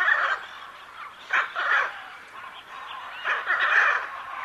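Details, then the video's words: Loud grating macaw squawks in short bursts separated by quieter gaps, each call coarse and buzzy. "Arara Cantando"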